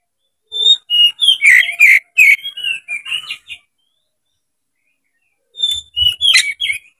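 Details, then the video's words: Oriental magpie-robin fanning its tail, in loud fighting song to provoke another bird. A tight run of strong, warbled whistles and chatter for three seconds, a pause, then a second energetic burst with a faint low thump. "MENCARI LAWAN TARUNG KACER CEPAT GACOR DALAM HITUNGAN MENIT DIPANCING KACER BUKA EKOR INI"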